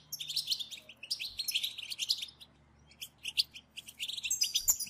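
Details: European goldfinches in a group batbata, the twittering calls used to stir goldfinches into singing: rapid, high, tinkling chirps in dense bursts separated by short pauses, with a faint low hum.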